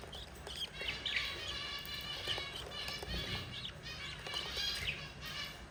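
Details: Four budgie babies fed by their yellow mother give a steady babble of scratchy chirps and short squeaky notes, with faint low rumbling beneath.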